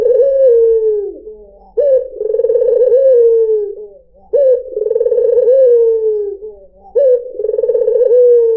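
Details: Lure song of a white dove (puter putih): four steady, rolling coos in a row, each a trembling, drawn-out note that sinks at its end, roughly every two seconds.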